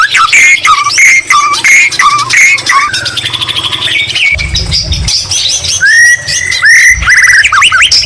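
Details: White-rumped shama delivering a rich mimic song of greater green leafbird phrases: a run of repeated clear whistled notes, a fast buzzy trill, then rising and falling sweet whistles, with brief low thuds behind.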